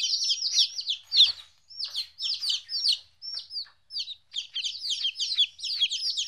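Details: Baby chickens at 14 days, first time separated from their mother, call in bursts of high, arching peeps, with short pauses between clusters of chirps.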